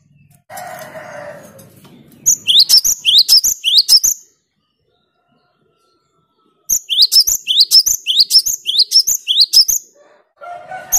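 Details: Wingko, or cinereous tit, singing two long bursts of rapid, high, ringing rising notes, split by several seconds of silence, with brief lower noise at the start and end. The clear 'gacor' song is meant to provoke rival birds.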